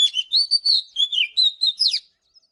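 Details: Morning song of an Oriental magpie-robin, a continuous run of clear whistles and slurred notes, some rising, some falling, ending in a quick downward flourish.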